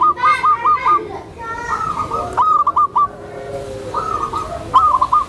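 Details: Tame zebra dove, used for training new zebra doves, repeating soft trilled coo phrases roughly every second, some overlapping, with faint clicks.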